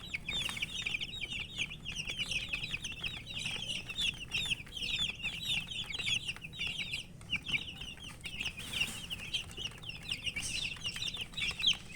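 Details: Many coloured baby chicks peep together in a dense, continuous chorus of high, short, downward-slurred cheeps that overlap without pause, with soft shuffling and scratching underneath.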